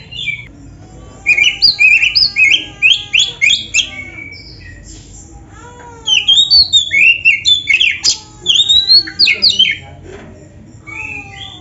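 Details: Oriental magpie-robin (kacer) in full training song, sung as a luxury fill-in style: two bursts of loud, varied whistles and chirps about a second apart, with a faint steady tone and quiet gaps between.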